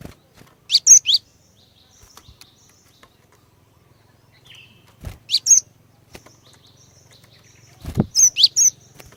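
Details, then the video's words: Female Cinereous tit used as a lure to get males singing, repeating short clusters of two to four sharp high chirps about every three and a half seconds, with occasional low knocks. "Kicauan Glatik Betina Pikat Gacor, Cepat Bikin Glatik Jantan Ikut Bunyi Gacor"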